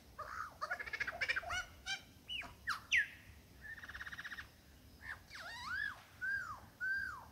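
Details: Male superb lyrebird displaying to a female in the Dandenongs with a repertoire of mimicked songs and sounds; rapid rattling notes, loud whistled swoops, a steady buzzy trill, then a series of descending arched whistles.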